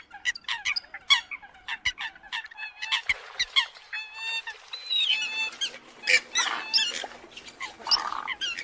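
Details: Eurasian coots calling in the new bird migration season: clipped honks and a few longer drawn nasal notes, many birds overlapping, with scattered sharp clicks.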